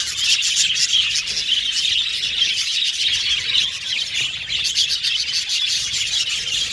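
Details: Budgerigars chirping, a dense unbroken wall of high overlapping chirps, twitters and warbles from several birds at once, with steady loudness throughout and no other sounds standing out.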